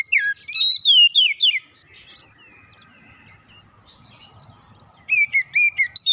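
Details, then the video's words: Stressed-bird therapy song of a white-rumped shama: a burst of bright, looping whistled notes and high chips, then a quiet gap with distant faint chatter, before the rich warbled phrases resume. "terapi Kacer dan pemulihan Kacer setres cepat gacor"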